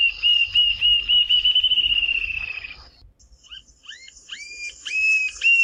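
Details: Rufous-tailed Jacamar singing in the Brazilian Cerrado: a long rapid whistled trill sliding gently downward for nearly three seconds, then after a brief gap a string of sharp, rising, upslurred whistles quickening toward the end.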